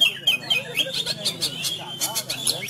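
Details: Sumatran Oriental magpie-robin, a caged contest bird kept in home training during the Covid-19 lockdown, sings in fighting style: rapid, varied whistled phrases with sharp clicks and scratchy notes, loud and continuous.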